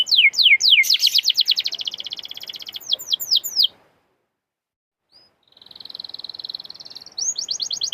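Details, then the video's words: Energetic canary song meant to coax other canaries into singing: fast series of sharp downward-sweeping notes merging into a dense buzzing roll, a short silence, then a smooth high trill and quick repeated notes. "Canary gacorr!!!! canary bisu auto nyaut!!!!"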